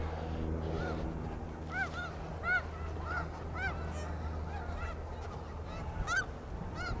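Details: Snow geese at Iona Beach, British Columbia, recorded with a shotgun microphone: scattered nasal honks rising and falling, a few loud ones standing out, over steady low rumbling background noise.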